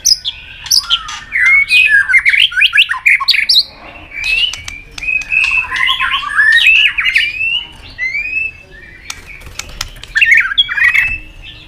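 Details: Fired-up White-rumped shama singing aggressively in a duel: dense, varied whistled warbles and rising slurs mixed with loud clicking notes in several bursts, with short pauses between phrases.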